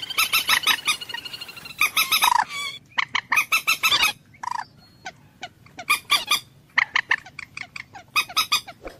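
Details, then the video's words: Common moorhen, the jol murgi or dunkor, uttering harsh squawking and honking notes in uneven bursts separated by short pauses, a few notes dropping in pitch. "ডুংকোর পাখির অরিজিনাল ডাক / ডুংখোর পাখির ডাক / জল মুরগী পাখির ডাক / Common Moorhen bird call"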